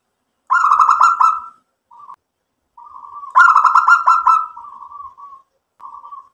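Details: Local zebra dove (perkutut) in full cooing song: a loud, burry, rapidly pulsed coo phrase lasting about a second, then a short soft hum. The phrase repeats around three seconds later, followed by drawn-out quieter trailing hums.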